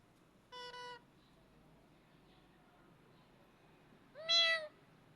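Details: A parrot imitates a cat and calls to it, giving two cat-like meows a few seconds apart: a brief, flat, doubled mew, then a longer, nasal call that rises and falls, over a faint room hum.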